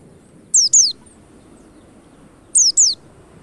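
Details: White-eye lure meant to make the birds sing fast: two paired bursts of high, thin, steeply descending whistles, about two seconds apart, each pair tightly doubled, against a faint low rumble.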